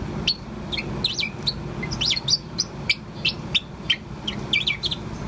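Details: Four-month-old Bourke's parrot, a pet, chirping steadily: rapid high chirps and short sweeping twitters, roughly three per second, with a faint low hum beneath.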